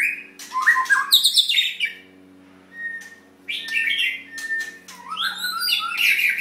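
A white-rumped shama sings rich, varied phrases of clear whistles mixed with harsh chattering notes, in bursts separated by short pauses; a faint steady hum sits underneath.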